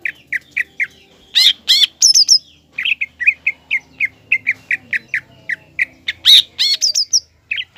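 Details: Green leafbird in full, active song, used to provoke a young spotted leafbird into agitation and a fighting mood: bright chirped notes near the same pitch repeat steadily, broken by louder, richer bursts and short rising whistles.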